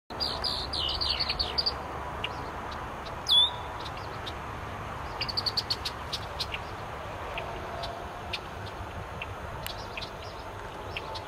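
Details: Red-winged Blackbird at its woven nest in cattails holding four eggs, giving high, thin chips and chatters in short bursts, with one sharp slurred whistle, over a steady wash of wind or distant traffic.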